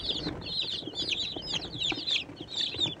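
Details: Baby chickens (Catskill Homesteader, Swedish Flower Hen, Bielefelder) eating and drinking happily indoors in a brooder; bursts of high, downward-sliding cheeps tumble over one another in quick runs, with soft taps below.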